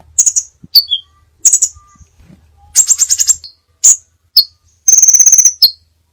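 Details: Crimson sunbird (sepah raja) varied song for training: bright high chips and falling double notes, a fast chattering cluster, then a long, very rapid rattling trill of high ticks; faint background thumps.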